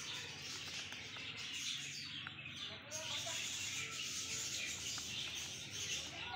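Budgerigar chicks give a dense, continuous wash of high, scratchy chirps and twitters.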